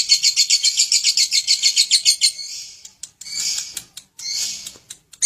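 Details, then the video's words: A lovebird's ngekek: fast, regular high trill pulses for over two seconds, fading into harsher scratchy chatter phrases with short gaps. "Love bird ngekek tak karuan"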